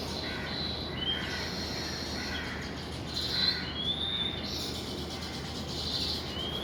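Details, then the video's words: Weaver birds in the morning, flying in and out of their nests, give high, thin chirps and short scratchy twitters that overlap with no steady rhythm, over a constant low rural background hum. "Listen to & see the weaver birds chirp and coming in and out of their nests in the morning"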